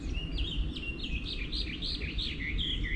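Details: Wild birds singing in the morning, recorded 24/05/11: a continuous run of high, warbling, swooping phrases over a steady low rumble of background noise.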